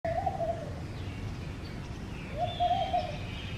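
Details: A laughing dove nesting in a garden calls in front of a home, giving two soft, low, wavering coos about two seconds apart, over a steady low rumble with faint thin chirps of other birds, including a common myna and a red-vented bulbul.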